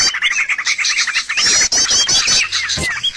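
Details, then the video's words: High, rapid bird chatter from a lure used to draw birds for trapping, with fast rippling trills, sharp chip notes and a short falling whistle near the end. "SUARA PIKAT BURUNG"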